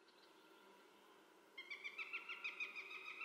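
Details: Northern goshawk calling; after a quiet second and a half, a rapid series of harsh, nasal kek notes starts, about six per second, steady and fairly faint over a low background hum.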